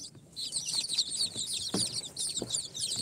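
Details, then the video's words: Freshly hatched chicks, day four after incubation, of Sultan, Golden Sebright, Cochin and booted breeds, chirping in a loud shrill cluster of fast overlapping peeps, with a couple of dull knocks underneath. "Chicks hatched from the incubator- Day 4 - Tatlı Civcivler - Cute chicks🐥- كتاكيت"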